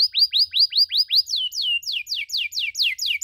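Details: Canary training recording of 'cuit cuit' chirps for young canaries: clean, evenly paced rising-then-falling chirps, about two and a half per second, changing midway to steeper falling notes.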